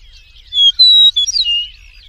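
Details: Wild Eastern meadowlark song: a series of clear slurred whistles, level at first, then a twisting flourish that slides downward into a final drawn-out whistle, with quiet background otherwise.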